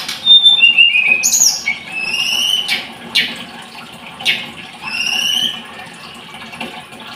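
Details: Scarlet-headed flowerpecker: high whistles and falling trills, then repeated short ascending slurred notes about once a second, alternating with quieter gaps.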